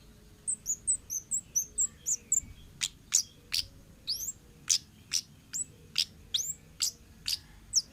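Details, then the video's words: Wild forest orange-headed thrush, used to draw in untrained birds. A quick chatter of tiny high notes opens, then loud, sharp ticking chirps repeat steadily, roughly two per second. "suara burung Kemade ngalas"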